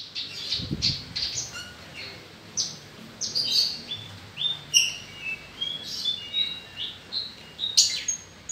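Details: Australasian bushlark (Mirafra javanica), a kept songbird, singing varied high whistles, sharp chips and slurred notes at a moderate pace, with a low thump early on.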